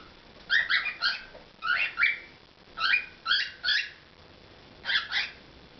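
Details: Domestic cockatiel singing: short phrases of two to three bright whistled notes, some bending upward, repeated roughly every second with brief gaps.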